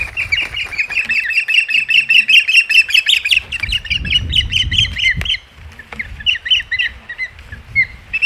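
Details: Osprey at the nest, recorded 21 May 2021 at Hog Island: a rapid series of sharp, high chirping whistles repeated about two to three per second, with low rumbling background noise and brief pauses near the end.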